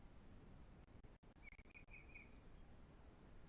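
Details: Ospreys at the Pont Croesor nest, Glaslyn Valley, North Wales, a breeding site on a live nest camera: a brief series of four or five clear, whistled chirps in quick succession over steady low rumbling noise and a few clicks.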